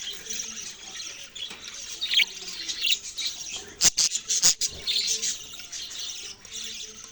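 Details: Continuous busy chatter from budgerigars, a dense scratchy warble with a cluster of loud sharp clicks and chirps in the middle, steady low background hum.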